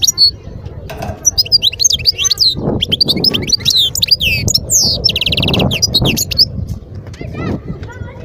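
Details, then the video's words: Lively twittering of a wild European goldfinch, Skikda region, Algeria, 2022. Dense, varied sequence of sweeping whistled slurs, chattering notes and a fast rattling trill, almost continuous over several seconds, with some low-frequency rumble behind. "اسمع واستمتع صوت الحسون البري"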